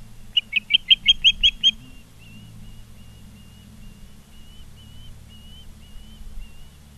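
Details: Charlo, Montana osprey at its nest, 16 September 2023, afternoon: a rapid burst of seven sharp whistled chirps, then a string of faint, thin, slightly rising whistles repeated about once a second over a steady low hum.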